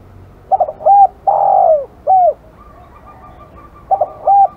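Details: An aggressive spotted dove coos in a full phrase of stuttered short notes, a long burry middle coo and a downslurred final note. Soft trailing hoots follow, then the phrase starts again.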